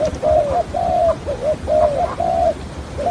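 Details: Decoy spotted dove kept for trapping, cooing in the stuttering 'hạp bổi' style: softer, fairly steady hollow notes, several drawn out and slightly falling, coming roughly every second over a faint background hiss.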